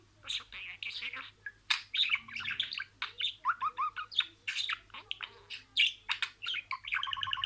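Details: Budgerigar kept as a pet, speaking imitated words. The sound is a dense run of chirpy, gravelly syllables and quick trills, ending in a fast ticking series.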